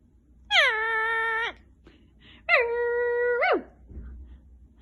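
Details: Talking pet Indian ringneck parrot indoors, being silly: two long, flat, nasal squawks rich in harmonics, each lasting about a second and curling upward at the end, with a quiet room behind.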